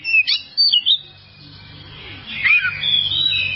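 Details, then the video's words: Oriental magpie-robin song from a long tutor recording for caged birds: a quick burst of loud whistled notes, a quiet stretch, then softer warbling and a drawn-out high whistle. "masteran burung Kacer durasi panjang"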